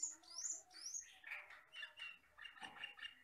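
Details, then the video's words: Asian glossy starling, a black, red-eyed forest bird, in a tutor recording: three quick rising squeaky whistles, then a fast chattering series of grating, scratchy notes repeated about twice a second. "MASTERAN BURUNG HUTAN CAMPERLING (CUCAK KELING)"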